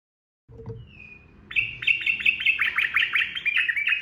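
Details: Ropel song of a sooty-headed bulbul. A thin slurred whistle leads into a quick string of bubbly, chattering notes, roughly three per second, over a low background rumble.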